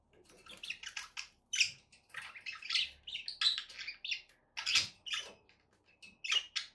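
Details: Pet budgerigars keep up a busy, buzzy chatter of rapid scratchy chirps and grating notes, coming in clusters with short breaks and several louder squeaky bursts.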